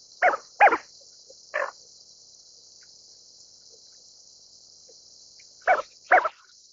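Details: A Greater scaup, known as bell duck, utters short rasping croaks, first three in quick succession, then a pause of about four seconds before two more, over a steady high hiss.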